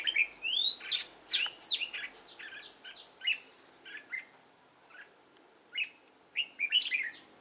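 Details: Red-whiskered bulbul kept as a lure bird, forest-style voice, singing to trigger fighting song. Loud clustered whistles open the phrase, then thin scattered chirps and a quiet gap follow before a final burst.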